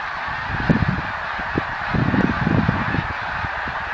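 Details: A big flock of snow geese in 2014 gives a steady roar of overlapping nasal honks, with louder yelps breaking through every half second or so.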